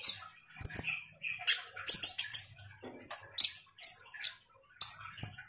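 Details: Oriental white-eye singing to stimulate another bird to sing: very high, thin chirps and short twittering phrases in separate bursts, with faint low knocks.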